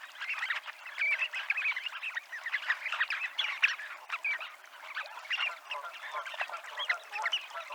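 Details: Calidris alpina gathered at Abruñeiras in the Ría de Noia utter a lively babble of short calls, dotted with several thin piping whistles among the chatter.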